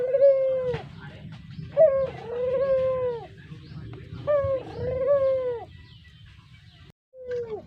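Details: Brown Barbary dove, a kept pet bird, its voice suited for luring: drawn-out, mellow coos near 500, each a short rising note then a long level hum falling away, repeated about every two seconds over a low background rumble.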